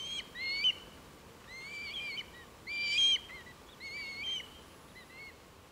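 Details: Over 100 Red Kites recorded on 23 November 2015 in East Northants, England; several overlapping whistled, wavering mewing calls with harmonics, some rising then falling, arriving in bursts about every second.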